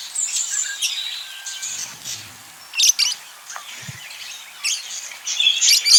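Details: Budgerigars courting at home: a continuous, rambling twitter of high squeaks and clicks, with louder chirp bursts near three seconds and toward the end, plus a faint low thump.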